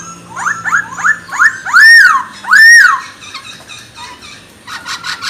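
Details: Chinese hwamei song aimed at provoking rival birds: a series of quick upward-sweeping whistles builds into two loud arched whistled notes, then softer repeated notes.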